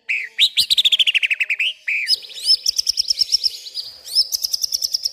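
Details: Agitated white-rumped shama in full song at night, pouring out imitated garden sounds: rapid descending trills, a sweeping whistled note, then long runs of quick high chirps and clicks with almost no pauses.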